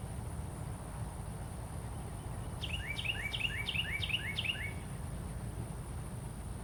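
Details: Carolina wren calling: a fast run of six repeated phrases, each a high sharp note sliding down into a lower slurred note, rolling together over about two seconds, against steady low rumbling background noise.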